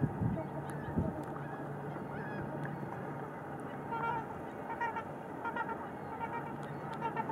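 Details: A pair of trumpeter swans calling during pair bonding, recorded 4 April 2015: repeated short, nasal, horn-like honks sound throughout, layered over steady low rumbling background noise.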